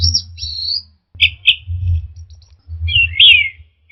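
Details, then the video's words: Orange-headed thrush song used as a lure for a stressed bird that has stopped singing: varied whistled and slurred phrases, some high and drawn out, separated by short pauses, over a steady low hum. "pancingan Anis merah setres dan macet bunyi"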